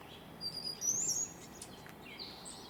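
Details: Hummingbird perched in a tree in the Sierra foothills of California, USA, giving its courtship song: a brief run of thin, very high squeaky notes with one sharp sliding squeak, over steady outdoor background hiss.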